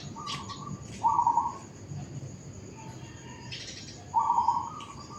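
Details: Zebra dove singing among suburban houses: two bright, fluttering trilled coos roughly three seconds apart, with soft lead-in notes and brief rustling sounds between phrases.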